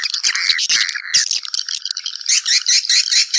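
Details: Swiftlets calling their fellows to nest, giving short buzzy chirps followed by rhythmic pulsed twitters repeated about twice a second.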